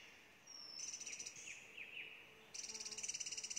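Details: Hill blue flycatcher calling on Doi Inthanon, Chiang Mai province, Thailand. A thin rising whistle leads into three or four short down-up chirps. Harsh pulsing insect trills come before and after.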